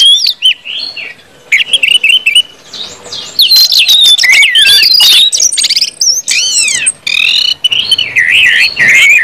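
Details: Orange-headed thrush singing full 'ngeplong' song to stimulate other birds: varied whistles and broad up-and-down sweeping slurs, faint at first, then loud and sustained, with quick chips between phrases.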